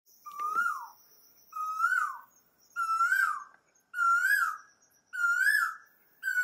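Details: Male and female Asian koel calling: loud, rising whistled notes with a slight downturn, repeated about every 1.2 seconds in a steady series of six, with a faint steady high hum behind.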